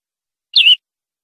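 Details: European greenfinch, a captive-training tutor recording, giving a single clean note that drops from high to a steady lower whistle, with no other sounds.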